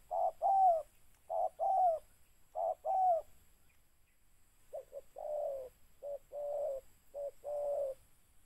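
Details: Spotted dove; soft repeated coo phrases of short notes then a longer falling note, with a second, quieter run of clipped coos following.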